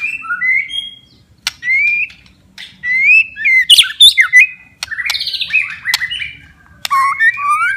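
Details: White-rumped shama in full loud song, played to stimulate stressed or silent shamas to sing: varied whistled phrases, slurred rising and falling notes mixed with sharp clicks and rapid chattering bursts.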